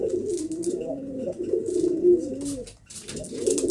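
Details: Domestic pigeons cooing indoors, "kobutor" in the local name: low, throaty rolling coos running almost continuously, with a brief pause near the end before cooing resumes; faint higher chirps and rustling above.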